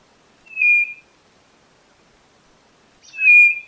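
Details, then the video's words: White-bellied nothura giving two clear whistled notes about two and a half seconds apart, each roughly half a second long and steady in pitch, the second with a rougher onset. "Canto da Codorna do Nordeste Nothura Boraquira"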